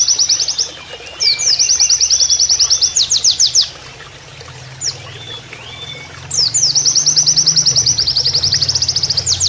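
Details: Canary-style Oriental white-eye song used as a training master, over flowing water: long, fast, high chattering trills of repeated notes, a pause of about two seconds, then another extended rapid trill.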